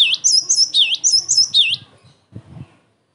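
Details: Cinereous tit singing a lively, emotional song meant to provoke other tits into answering and for training: high sharp paired notes dropping into a lower swooping whistle, repeated rapidly for about two seconds, then faint rustling.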